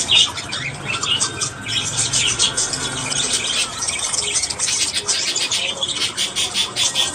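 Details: Budgerigars in the morning pouring out a constant high, chattering warble of clicks, squeaks and rasps, loudest at the very start.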